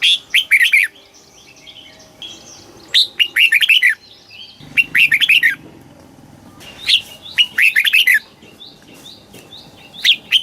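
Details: Red-whiskered bulbul, southern Thai master-style song played to excite birds or train young ones: four lively phrases of rapid warbled whistles, each a few seconds apart, with soft chirping and a brief low rumble between them.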